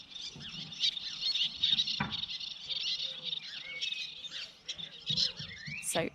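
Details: Little terns, Essex's smallest beach-nesting seabird, which migrate from West Africa to the UK, give rapid, high, scratchy chattering calls in quick bursts, played from a website recording; a person's voice is faintly heard in the background.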